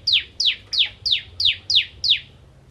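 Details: Bar-winged prinia, crystal ciblek, singing 'nembak ngentrok': seven evenly spaced sharp notes that drop quickly from a high pitch, about three a second.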